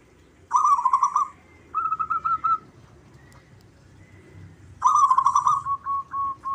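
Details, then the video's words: Local zebra doves sing actively and answer each other: a rich, burbling coo near one pitch, then a row of short even notes, and a second burbling coo with trailing notes after a pause. A faint low hum lies beneath. "Perkutut lokal suara gacor Mp3 dijamin saling sahutan"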